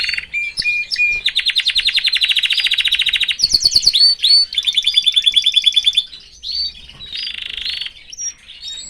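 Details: Canary in a family cage: a few short whistles lead into loud trills alternating between lower and higher pitches, followed by quieter scattered chirps.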